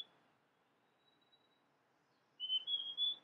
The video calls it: pássaro Niltava grandis cantando